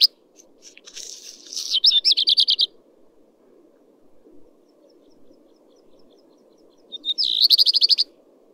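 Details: Common redstart (Phoenicurus phoenicurus) singing two short, high phrases about five seconds apart: a few clear opening notes falling into a quick run of repeated chirps, over a low steady hum.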